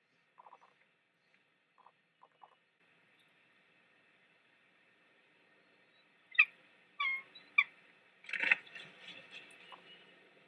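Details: Bald eagle pair at their Big Bear nest, the female mantling over a fish and telling the male to go so she can feed the chick; faint chips at first, then loud sharp piercing squeals and a chattering burst.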